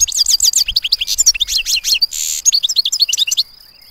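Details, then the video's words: European goldfinch giving a clean, beautiful song: fast liquid twitters and bright tinkling notes in a dense run, one short rushing burst midway, ending in a faint steady whine. "Būyūleyici Saka Sesi"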